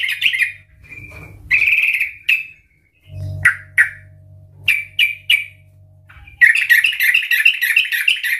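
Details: Trucukan, or sooty-headed bulbul, in loud active song meant as a lure to start other birds singing: scattered whistled chips and short slurs, ending in a dense rapid warble; low hum audible between notes.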